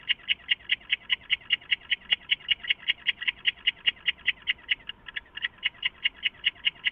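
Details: An owl calls from its nest box in the early morning darkness of 23 August 2014, giving a fast regular string of brief notes, around two and a half per second, briefly faltering after five seconds.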